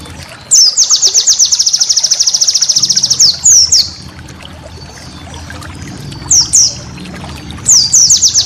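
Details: White-eye master song for schooling cage birds, rich in special bursts. A quick, steady high trill runs for over two seconds, followed by short clusters of sharp downslurred notes separated by quiet gaps.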